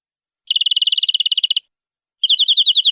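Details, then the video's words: Canary song for tutoring young canaries: a fast rattling trill for about a second, a pause, then a slower rolling trill of looping whistled notes. "MASTERAN BURUNG KENARI PANJANG"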